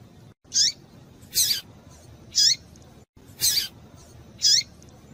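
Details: Calling female double-collared seedeater, aimed at warming up a male. Five high, thin chips come roughly once a second, alternating between a clearer whistled note and a harsher, broader one, over soft background hiss.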